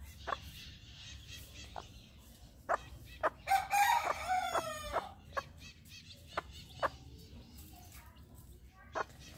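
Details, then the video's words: Bantam hen calling her chicks to food: scattered short clucks throughout, with a louder drawn-out harmonic phrase near the middle and soft background chatter. "Galinha chamando os pintinhos para comer"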